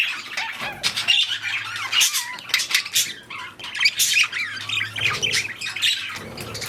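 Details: Budgerigars, also called parakeets, during mating and breeding, chattering with warbled, squeaky notes, quick frequency-modulated whistles and harsh squawks, in a small room with a low steady hum.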